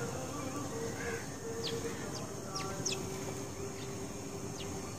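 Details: House sparrow in a garden giving short, sharp chirps that sweep downward, scattered irregularly through the clip, with a steady low hum and faint background noise throughout.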